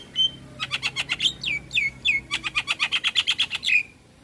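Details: Javan myna in full vigorous song used to prompt other mynas to sing; a quick series of bright chirps and downward-slurred whistles, delivered in a fast, steady rhythm of about four notes per second.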